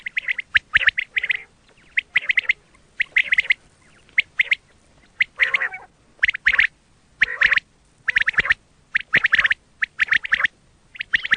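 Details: Quail calls used as a hunting lure: dense bursts of harsh, chattering notes come in clusters roughly every half second to one second, with short pauses between groups, over a quiet background.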